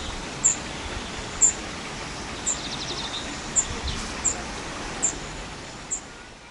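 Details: Spotted flycatcher during nesting, 13 June to 13 July 2011: thin, sharp, very high single notes repeated roughly once a second, seven in all, over constant broadband outdoor noise.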